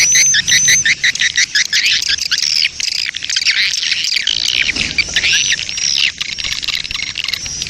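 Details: Swiftlet colony lure recording used to attract swiftlets: a dense, continuous chorus of high, rapid chirps and twittering clicks, with overlapping buzzy trills and thin whistled notes throughout.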